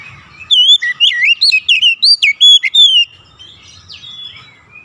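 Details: Lure song of an Oriental magpie-robin meant to trigger other magpie-robins into song: a rapid string of loud, wavering whistles and sharp upslurs for about two and a half seconds, followed by quieter thin notes and faint rumble.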